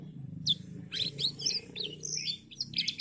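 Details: Canary twittering in short sweeping high notes and chirps over a constant low humming background.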